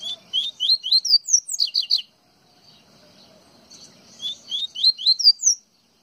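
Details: Coleiro baiano (double-collared seedeater) from Pernambuco: a run of about five bright upslurred whistles speeding into a cluster of high sharp notes, a quiet gap, then another rising run.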